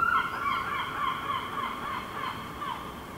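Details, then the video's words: Herring Gull (Larus argentatus) fledgling in a park in Helsinki, Finland, July 2016, gesturing intensely, begs with a steady run of thin, wavering, plaintive whistles rising and falling, about three notes a second. "Herring Gull fledgling vocalizing"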